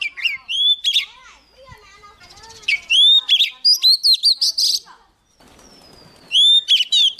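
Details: Young Oriental magpie-robin in full song as a wild bird draws close: whistled slurs and fast chirps, softer low warbling between phrases, a brief silence, then a renewed loud whistled phrase.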